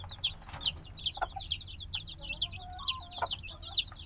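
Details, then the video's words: Freshly hatched black chicks, still wanting the mother's warmth, give bright falling peeps in quick succession, several birds overlapping, with a brief lower tone and soft clicks behind. "Baby Chicken Sounds - Baby Chicken Chirping Noises"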